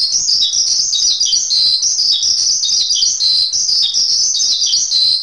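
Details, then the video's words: Masteran song of a Javan pied starling: an unbroken stream of bright, high chirps and quick twittered notes, steady in loudness throughout. "Masteran Suara Jalak Suren"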